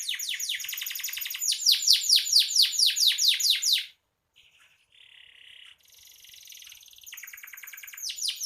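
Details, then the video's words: Lively canary song used as tutor material for songbirds: fast repeated downward-sweeping notes for four seconds, a short pause, then a soft lower buzz and renewed high rapid trills. "Suara burung kenari gacor"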